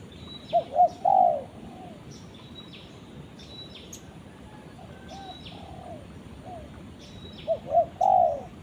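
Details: Spotted dove calling its companion: two short hoarse coos followed by a longer drawn-out croo, the phrase given twice about seven seconds apart, with faint high chirps of small birds in the background.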